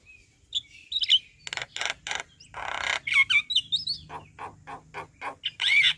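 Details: Javan myna in full chattering song, used as a master recording to train other birds: dense scratchy bursts alternating with clear, warbled whistles and quick rasping notes.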